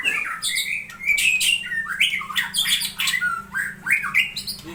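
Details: Long-tailed Aceh white-rumped shama singing a rich, full song: rapid whistled phrases, quick rising slurs and chattering, buzzy notes follow one another without pause. A faint low hum sits underneath.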